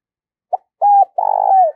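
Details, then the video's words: A spotted dove kept as a decoy to lure wild birds gives a clipped opening note, a flat held coo, then a long buzzy coo that glides downward, in otherwise silent surroundings. "Chim Cu Mồi Thúc và GÁY GỌi Căng Lửa, Kích Bổi Hiệu Quả"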